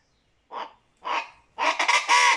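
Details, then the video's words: A Venezuelan chachalaca (guacharaca) gives two short, harsh, raspy notes about half a second apart, then a louder, longer burst of grating, raucous calling. "achalaca, guacharaca, chachalaca"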